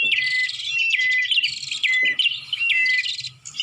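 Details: Bar-winged prinia lure call for attracting birds: fast, shrill chirps and buzzy notes, each phrase ending in a short level whistle, repeated roughly every second.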